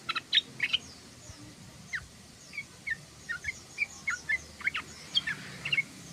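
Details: Yellow-vented bulbul twittering: scattered, thin, high chips and short down-slurred notes spaced a fraction of a second apart, fairly quiet against light background hiss.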